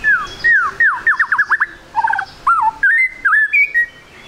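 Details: White-rumped shama, a spotted 'trotol' bird, in lively 'gacor' song used as a lure to get other shamas singing quickly: a fast run of downslurred whistles, then a low warbled phrase and rising, looping whistled notes.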